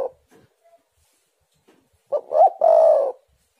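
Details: Spotted dove in song, used as a lure to set other doves singing: the tail of one coo, a pause with faint soft notes, then a full phrase of two short notes and a long vibrating coo.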